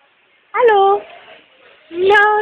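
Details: Pet Amazon parrot indoors imitating human speech, saying "allo" as a greeting: two separate voiced, harmonic syllables, the second rising slightly, each about half a second long, with a quiet room between them.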